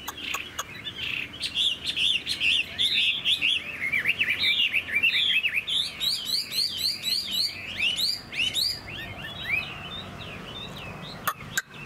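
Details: A caged, hand-tame Chinese hwamei sings a long, fast, varied song of sharp, clear whistled notes in rapid runs, with some higher rippling trills mixed in, continuing for about ten seconds.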